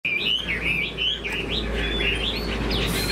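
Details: Caged Chinese hwamei with a fanned tail, a strong fighter that spreads its wings eagle-style, singing loud whistled phrases that slur up and down in quick succession over a steady low hum.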